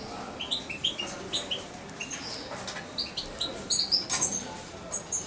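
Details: Hand-raised young European goldfinch about two months old gives thin high chirps, spaced at first and then quickening into a brighter twittering run near the end.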